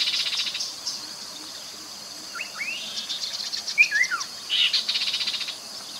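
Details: Chestnut-capped babbler recorded beside the Mekong River in Nakhon Phanom, Thailand, 2021, used as a lure recording: a buzzy rattling chatter opens, then short falling whistled phrases, then another rattle, over a steady high insect drone.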